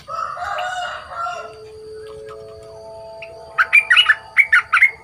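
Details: Caged young bulbul in training, kept two months, big-voiced: after a loud blurred crowing-like sound and lingering steady tones, a quick run of sharp, chirpy warbled notes closes the recording.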